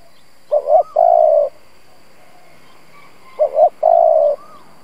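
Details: Spotted dove used as a lure for rival doves, giving two short phrases about three seconds apart, each a quick double note followed by a long smooth coo, with faint distant bird whistles.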